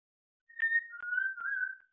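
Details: African grey parrot kept as a pet, rehearsing "Bella ciao" by whistling: one clear, pure note held, then a lower sustained tone with slight wavers, together making a brief two-part fragment of the tune.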